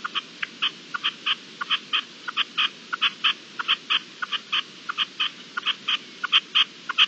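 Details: Partridge calling during a hailstorm, 16 April 2021: steady series of short, sharp clucking notes, several per second and evenly spaced, over a constant background hiss of falling hail.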